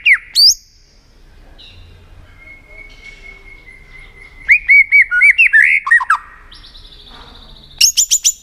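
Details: [1, 'White-rumped shama singing with tail-flicking, used to stir rival shamas into contest singing: a sharp rising whistle, a long steady whistled tone, then a burst of rapid looping whistled notes and high metallic chips at the end.']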